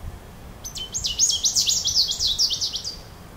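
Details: Goldfinch calling with a fast chain of high, liquid, downslurred twittering notes for about two and a half seconds against a quiet background.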